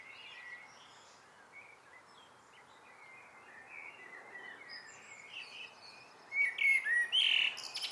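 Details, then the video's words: A common blackbird's evening song: soft, distant warbled phrases, then closer and louder bursts of high twittering near the end, over a quiet outdoor background. "Abendgruß einer Amsel"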